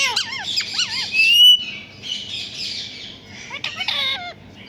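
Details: Talking pet parrot copying a cat's meow, giving wavering, bent harmonic notes in short phrases, a harsh drawn-out squawk early on, then more looping meow-like calls, with constant high hiss behind.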